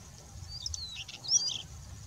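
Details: Male White-tailed stonechat singing a brief, scratchy, high-pitched phrase of quick twittering notes while fanning its tail in the wind, with a faint low rumble of wind.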